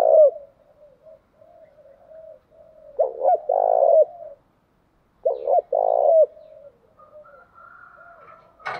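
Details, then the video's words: Spotted dove, male and female, cooing as a lure for training: low soft murmuring coos, then two loud phrases of a clipped double note and a long grainy coo, ending with a sharp click. "thúc chim cu gay"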